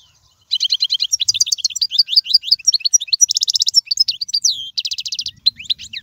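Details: European goldfinch singing in royal style, a recording used to tutor young birds: dense, bubbling twitter with repeated chirps, sliding whistles and two fast buzzy rattles, continuous for over five seconds.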